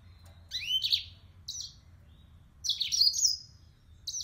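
A yellow-fronted canary sings two quick bursts of high, bright twittering with sweeping, rising notes, separated by a brief pause, over a faint low hum.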